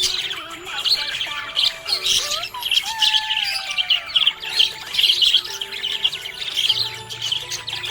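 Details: Happy budgie chirping: a continuous, busy stream of warbled chirps, squeaks and quick chattering notes, mostly high-pitched, with a few lower slurred whistles running underneath throughout.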